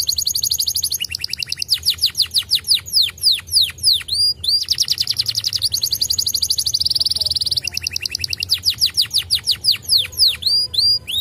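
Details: Canary singing to prompt replies from other canaries, alternating rapid high trills with bursts of swooping downward whistles, continuous and energetic throughout.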